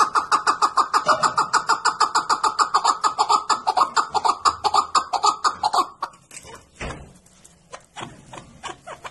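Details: Chukar partridge giving a rapid, evenly spaced chatter of clipped notes, about three a second for six seconds, then breaking off into scattered clicks and background noise.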